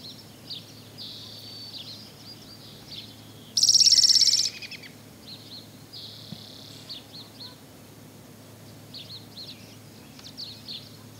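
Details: Spotted towhee from Lummi Island, Washington, delivering one loud, quick buzzy trill near the start, while other birds add thinner high buzzes and chips through the rest of the recording over low background noise.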